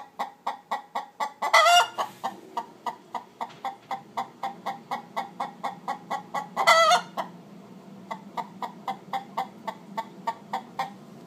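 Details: Backyard hens giving the egg-laying song while waiting for occupied nest boxes: rapid, steady series of sharp clucks several per second, broken by two loud drawn-out squawks.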